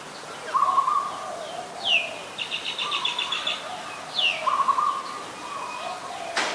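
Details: Adult zebra dove at Ubon Ratchathani, Thailand, on 28 December 2020: two brief stuttering coo bursts, about four seconds apart, while another bird calls over them with high down-slurred whistles and a buzzy, rattling trill.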